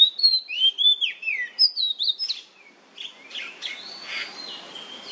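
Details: Oriental magpie-robin singing in the nyemplong style, a lure recording meant to draw song from other magpie-robins: a quick burst of loud, varied whistles with downward slurs lasting over two seconds, followed by fainter scratchy notes and whistles.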